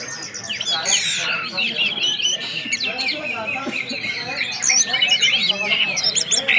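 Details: Orange-headed thrush, known locally as anis merah, singing in the ngeplong style with whistled notes: a dense run of high, quick, bending whistles and chirps that keeps going without a break, growing louder toward the end.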